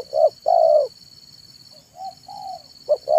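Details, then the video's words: Spotted dove (tekukur) cooing in the afternoon as a lure: a short note and a longer coo, then quieter faint coos and a new phrase starting, with a steady high whine. "SUARA BURUNG TEKUKUR MANGGUNG DI SORE HARI"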